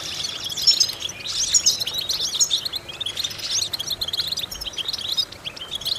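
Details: European goldfinch singing as a vocal exercise for stimulating goldfinches: fast, jingling phrases of high twitters and thin whistles, swelling and fading in irregular bursts.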